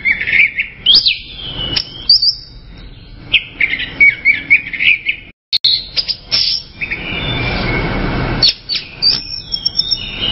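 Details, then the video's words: Orange-headed thrush delivering a long, varied song of rich whistled phrases, slurred upsweeps and rapid twittering notes, nearly continuous for several seconds, with a brief break and a hissy patch midway. "SUARA ANIS MERAH"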